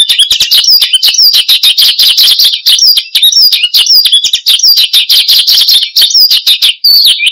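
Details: Horsfield's bush lark singing vigorously, used as lure and tutor song for cage birds: a fast, unbroken stream of varied high chirps, trills and sharp twittering notes, dense and energetic throughout.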